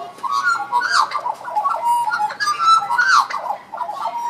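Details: Captive Australian magpies duetting at Zoo Berlin: rich fluting, warbling phrases with gliding, yodel-like notes that rise and fall, overlapping one another almost continuously with short breaks, loud and clear against a quiet background.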